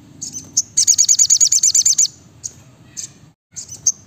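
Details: Brown-throated sunbird, locally sriganti or sogok ontong, in a chatty tutor recording of rapid close-set bursts: a dense run of about a dozen very high, sharp chirps, with scattered thin notes before and after.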